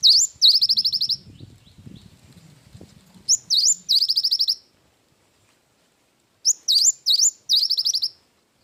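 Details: Energetic cinereous tit, singing in the 'isian wingko' fill style. Three loud phrases each pair a rising-falling whistle with a quick string of ringing high notes. Low murmuring noise sits under the first few seconds.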